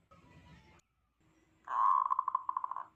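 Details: Local zebra dove said to provoke other zebra doves: after a faint murmur and silence, a rolling coo begins strongly and breaks into evenly spaced pulsing notes that fade out.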